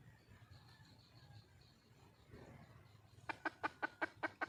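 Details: Wild red junglefowl hen calling for a male: after a few seconds of faint high whistles in the background, a run of about seven sharp, evenly spaced clucks comes in quick succession, each a short broadband pulse.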